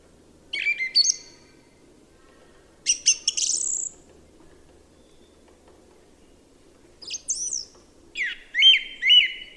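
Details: Song thrush singing distinct phrases: a scratchy whistled opening, a buzzy high burst, then after a pause sharp high notes and a repeated wavering whistle given three times in quick succession.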